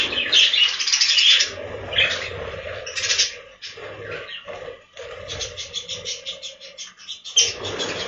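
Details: Budgerigars in a breeding room chatter in uneven bursts, scratchy warbled phrases and squeaks broken by short gaps, with a soft low hum behind them on a budgie farm.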